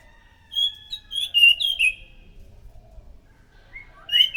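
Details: Scaly thrush song used as a lure: a quick phrase of clear whistled notes from about half a second to two seconds, then quiet, then a brief rising whistle near four seconds.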